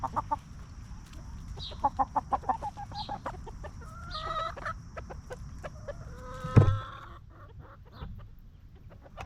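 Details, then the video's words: Free-range hens roaming a backyard farm, scratching in the dirt and snacking on treats, cluck peacefully: short soft repeated clucks, a burst of quick notes near the start, one louder clustered call later, steady low rumble beneath. "Chickens Roaming, Snacking & Clucking"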